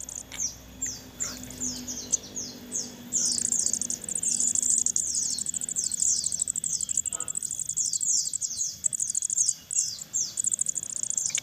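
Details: Hand-fed young crested jays begging: sparse high chirps at first, then a long, dense, insistent stream of sharp downslurred squeaks, almost continuous for several seconds.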